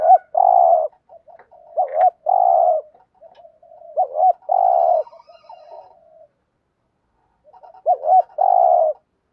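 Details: Spotted dove repeating its 'gù thúc' stimulating coo to prompt other doves to call: four phrases, each two quick looping hoots followed by a drawn-out buzzy coo, with a pause before the last.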